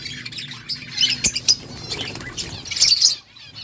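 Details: Budgerigars chirping: scattered high, sharp chirps and short squeaky notes in irregular bursts, with quieter gaps between and faint low background rumble.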